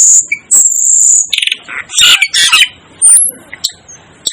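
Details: Asian glossy starling producing long piercing high whistles and harsh grating squawks, followed by scattered sharp chips with gaps between them.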